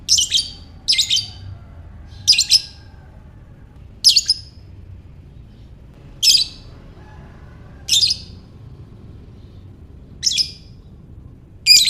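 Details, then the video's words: Lovebird giving calls used to provoke ngekek: a long series of eight or so harsh, high, buzzy squawks spaced one to two seconds apart, a few doubled, over faint low hum. "Buat Mancing Lovebird Bagus Ini | Lovebird Ngekek"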